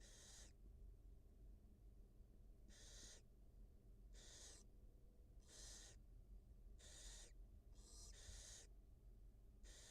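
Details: Two newly hatched barn owl nestlings fed by their wild mother on a live camera; eight breathy, noisy hissing bursts spread over ten seconds, a pair near the end close together, above steady hum.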